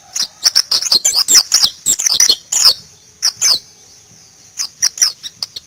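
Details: Zosterops white-eye, pleci ngalas, giving a dense run of high thin chirps and rapid warbled twitters, then two short loud notes, a pause, and a softer closing series of quick chirps.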